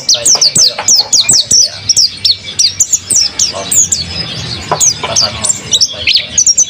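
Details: Vigorously singing mountain white-eye kept by a bird keeper: quick strings of thin, high, downslurred chirps, several per second, pausing briefly before bursts resume, with faint low background hum.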